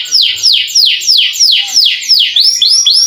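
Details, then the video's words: Canary sings a long rolling song intended to get lazy canaries singing, a series of bright swooping notes falling from high to middle pitch, repeated about three times a second with quick doubled notes at the end. "KENARI GACOR NGEROL PANJANG COCOK UNTUK PANCINGAN BUNYI BURUNG KENARI YANG MALAS BUNYI!!!"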